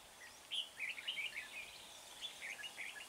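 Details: Decoy red-whiskered bulbul used for trapping near Huong pagoda, singing to draw in wild birds: bright, lively warbling phrases of short slurred whistles, repeated rapidly after a brief quiet start, with faint hiss behind.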